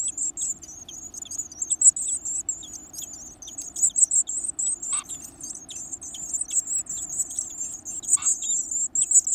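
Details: Varied tit nestlings, full of energy, eating big bugs: a dense, shrill, hissing chorus of high calls throbbing in quick waves, with a couple of sharp ticks.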